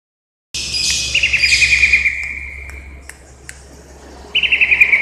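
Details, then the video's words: Greater green leafbird from Indonesia, recorded 29 January 2021, giving a bright trilled phrase of quick clear notes sliding slightly downward, then a pause and a second similar trill. "The chirping of the green cacak from indonesia/Burung cucak ijo"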